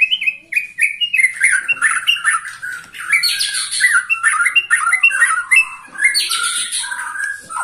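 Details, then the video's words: White-rumped shama aged 21, kept caged, singing energetically: loud whistled notes and rapid harsh chattering phrases running continuously, with hissing high bursts. "Murai batu ini ternyata usianya 21 TAHUN Gaya main masih NGOTOT"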